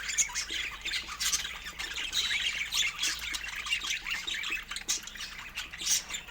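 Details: Fruit-eating pet budgies chatter busily, overlapping bright chirps and short squawks in quick succession from several birds.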